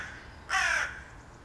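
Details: A wild crow that lives around the house, gradually growing trusting, calls from the tree behind the house: one harsh, hoarse caw lasting about a third of a second over a quiet background.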